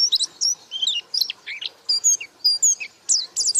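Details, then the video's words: Pleci (white-eye) singing with open beak, a varied medley of high whistled slurs, sharp chirps and short buzzy notes, delivered in quick bursts. "Burung Pleci Gacor Buka Paruh"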